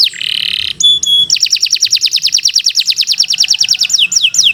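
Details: Canary uttering a buzzy nasal note and bright chips, then a long rapid trill of crisp repeated notes, finishing with a few swooping downslurs.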